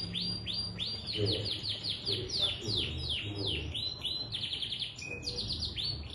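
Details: Canary singing a long, unbroken song meant to prompt other canaries to join in. Quick repeated down-slurred notes run into tight trills, with a low droning background noise throughout.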